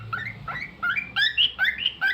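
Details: Pet cockatiel sings a short sequence of upward-slurred whistled notes, about five in two seconds, clear and bright over faint low background noise.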